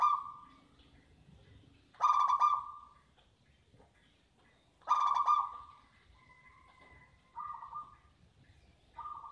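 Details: Zebra dove in a cage, praised for its strong voice and fearless temperament, cooing while the owner reaches into the cage. Loud, pulsed coo phrases come every few seconds, followed by shorter soft coos and a faint higher whistle.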